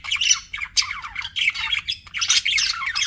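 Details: Pet budgerigars in steady, noisy chatter: raspy warbles, squeaks and harsh squawks running almost without pause, dipping briefly near the two-second mark, with faint low hum.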